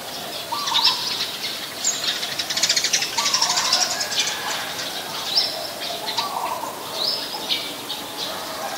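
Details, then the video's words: Eurasian tree sparrows in Ubon Ratchathani, Thailand, 10 May 2020: busy overlapping chirps, sharp high notes and some fluttering sounds, continuous chatter without a steady rhythm. "นกกระจอกบ้าน : Eurasian Tree Sparrow"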